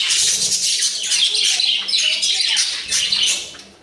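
Budgerigars chatter in a continuous, scratchy warble of rapid high chirps and squeaks.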